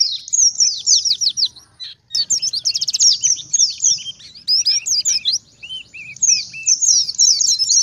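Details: Oriental white-eye 'ngalas' song played to attract wild white-eyes: rapid high sweeping chirps and short trills, a brief gap, then more chatter with a series of lower, rounded whistled notes.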